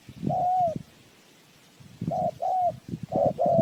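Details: Spotted dove calling as a lure to trap birds: one long drawn coo, a pause, then several shorter coos, with low knocking sounds underneath.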